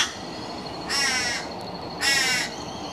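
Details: Torresian crow (Corvus orru), a juvenile and an adult together at a home property on 020215; one gives two harsh, nasal, drawn-out caws about a second apart over a faint high background hum.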